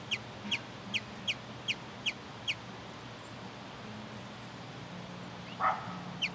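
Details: Sombre hummingbird defending territory with a run of seven quick, high chips over two and a half seconds, then a pause, a brief lower note, and one final chip; faint low humming throughout.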